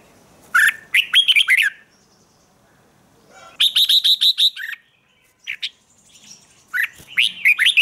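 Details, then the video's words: Red-whiskered bulbul singing in the morning, a recording for song training in the 'ché' style: three bursts of loud, rich, bubbly whistled notes, each a quick run of five to seven syllables, separated by short pauses. "Luyện chào mào hót sáng, QUÁ HAY - CHÉ KÍCH BỔI CĂNG ĐÉT"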